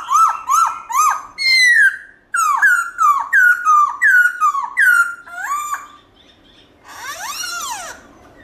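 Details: Many-voiced wild song of a black-throated laughingthrush, loud and clear, used to stimulate caged birds: a quick string of about ten whistled notes falling in pitch, then a softer, harsher wavering phrase.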